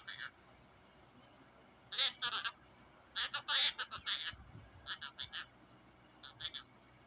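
Cockatiel mating call: harsh, raspy bursts of chattering notes, given in short clusters with brief pauses.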